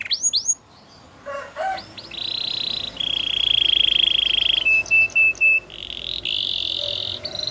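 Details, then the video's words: Canary singing a training song over faint background hiss: a few sweeping chirps, a soft rattle, long rolling tones, short clipped whistled notes, then more steady rolls. "The best canary singing video ever"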